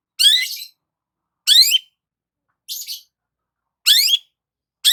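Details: Long-tailed shrike basking in morning sun, giving harsh rasping rising notes repeated roughly every second, each a grating scratchy burst.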